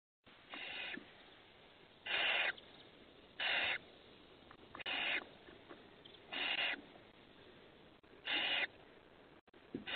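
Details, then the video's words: Five hungry owlets recorded on 28 May 2020 give harsh, hissing screeches about half a second long, repeated every second or two, against a quiet background. "hungry Owlets"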